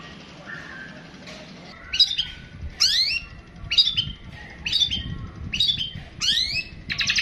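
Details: Long-tailed shrike (pentet) singing in long 'tembakan' bursts: after a faint opening, sharp high downslurred whistled notes with buzzy tails repeat roughly every second, growing into a harsher, noisier phrase at the end.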